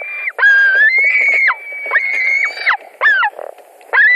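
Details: White-tailed eagles at a nest in Latvia, 17 July 2020 around 22:00, during a fish delivery as two adults compete for the fish: high, thin, drawn-out whining calls dropping at the end, repeated four times with short gaps.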